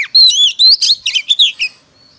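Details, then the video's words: Caged Oriental magpie-robin singing competitively, giving a quick run of loud, varied whistles, some long and level, others buzzy and clipped, fading out at the end. "Chích choè than hót đấu"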